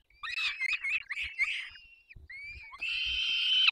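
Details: Peregrine falcon chicks begging at the nest during a parental feeding, Barycz Valley, 3 May 2024: a quick jumble of choppy squeals, a brief pause, then one long steady rasping scream.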